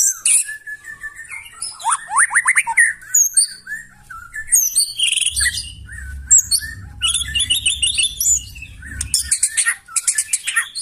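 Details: Loud, harsh white-rumped shama song intended to make other birds sing back: fast upswept whistles, chattering high bursts and trills, with a low hum in the middle.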